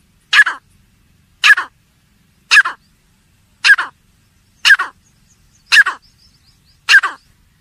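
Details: Partridge (teetar) calling in short, loud, rasping single bursts, seven of them spaced about one second apart, with faint chirps between.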